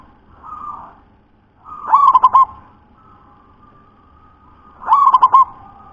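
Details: Local zebra dove, described as having a very thick, deep voice, gives two rolling coo phrases about three seconds apart. Each is a short burst of four or five pulsed, throaty notes over a faint steady hum.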